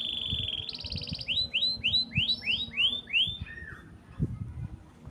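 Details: Canary singing right after being taken out of its bath: a level trill, then a higher rapid rattle, followed by a series of about seven loud downward-sweeping whistled notes repeated roughly three times a second, ending in a lower note, over soft knocking sounds.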